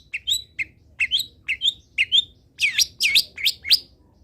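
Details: Long-tailed shrike singing as a tutor recording for other birds: short rising whistled chirps in pairs, then louder sweeping up-and-down notes near the end, with a quiet hum underneath.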